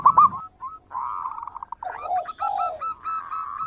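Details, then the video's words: Zebra dove, a local bird singing as a lure: sharp clipped notes leading into sustained trilled cooing, then a lower purring phrase and more rapid beaded notes. "Perkutut Lokal Gacor Suara Merdu Mewah Buat Pancingan"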